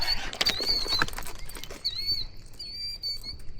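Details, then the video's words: Agitated Killdeer near a network of ponds give shrill, high, drawn-out whistled notes that waver and repeat, over clicks and handling noise during fishing, sounding very unhappy. "those killdeer in the background are VERY unhappy"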